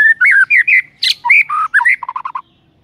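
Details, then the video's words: White-rumped shama singing varied morning-lure song: mellow slurred whistles, a harsh rasp, lower fluty notes, then a quick run of five short repeated notes fading out. "suara Murai Batu BONGKAR ISIAN"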